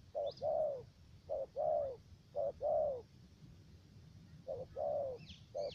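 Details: Spotted dove decoy used for trapping in the U Minh area, Khánh Hòa commune, Cà Mau, Vietnam, with a three-note voice: low cooing pairs of a short note then a longer falling note, repeated about once a second; faint high chirps of another bird.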